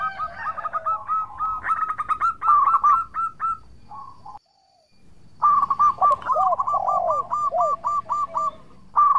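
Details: Local zebra dove in full, active song, used as a lure to make rival doves answer at once: rapid staccato cooing notes in quick runs, then dipping, arched coos, a short silence midway and a renewed burst of cooing.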